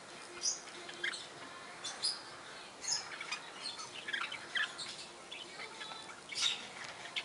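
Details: Lineolated (barred) parakeets (Bolborhynchus lineola) give short, high chirps and twittering notes at an irregular pace, with a few sharper squeaks and a soft background hiss.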